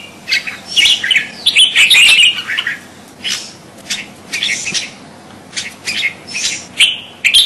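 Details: Crested bulbul (kutilang jambul) giving a series of short whistled chirps and warbled phrases, irregularly spaced, some notes sliding downward, with a faint background hiss.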